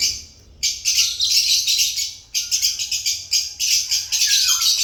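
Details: Excited chirping of African lovebirds: nearly continuous shrill, rasping high bursts, several per second, with a short pause midway and a falling whistled note near the end.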